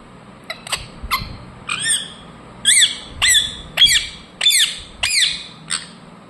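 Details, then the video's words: Indian ringneck parakeet repeating sharp, harsh squawks that dip then rise, around ten notes at roughly half-second intervals, growing louder midway, in a quiet setting. "Parrot Chirping sounds Natural Sound | Ringneck parrot Naturals Sound"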